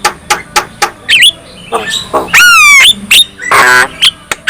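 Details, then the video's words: Black-winged myna song said to provoke other black-winged mynas to sing; spaced sharp clicks, a squeaky rising note, a long descending whistle and a harsh raspy burst. "Kicau Khas Jalak Kebo | Bikin Jalak Kebo lain ikut Gacor dan Emosi bila mendengar suara jalak ini"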